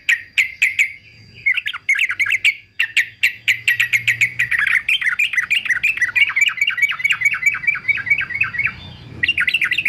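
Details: Fighter-type male yellow-vented bulbul in full song, offered as anti-mute training material: continuous rapid bubbling, chattering phrases with rising and falling liquid notes, delivered almost without pause for ten seconds.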